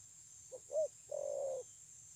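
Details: Spotted dove recorded 9 June 2020, praised for its fine cooing: one low cooed phrase, a short soft note, a hooked arching note, then a long steady hum, over a constant high hiss and low rumble.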